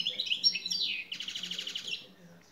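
A European goldfinch sings a quick, tinkling run of high twittering notes, then a fast buzzy trill of repeated pulses that fades away.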